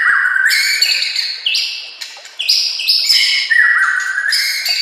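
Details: Master song of a white-rumped shama for training other shamas: loud ringing whistles that jump between pitches, with sharp clicks marking each new phrase, flowing without a break.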